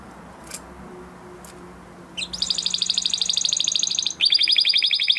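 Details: Spanish Timbrado canary, huppe type from 2020 breeding, in training song: near silence with faint background hum, then a sudden high rapid metallic trill, a brief pause and another fast trill.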